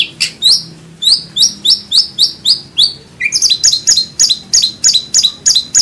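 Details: Indonesian white-rumped shama, master material with full 'tembakan' bursts: a rapid string of sharp downward-flicking whistles, switching to a faster series of high clipped notes, about three per second.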